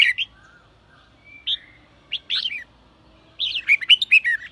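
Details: Red-whiskered bulbul singing in the sổ bọng style, used to stimulate male bulbuls: short bright chirps, a thin whistled slide, then a busy burst of rich warbled notes near the end.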